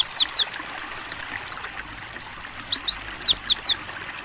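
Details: Mountain white-eye, open-beak clear ngalas song recorded for training other birds: two lively phrases of high, bright, falling whistles delivered in quick succession, separated by a brief gap, soft flowing water behind.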